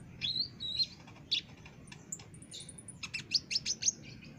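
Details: Olive-backed sunbird recorded as a training master for caged birds, in full lively song: high twittering notes, a short thin whistle, then a quick run of sharp rising chips near the end; low background hum.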